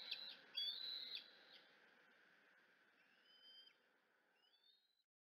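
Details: Bald eagle eaglet at the Decorah nest, screeching in the afternoon as its mother arrives. A burst of loud, shrill whistled screeches opens the recording, then the calls grow faint and trail away into thin, distant slurred notes.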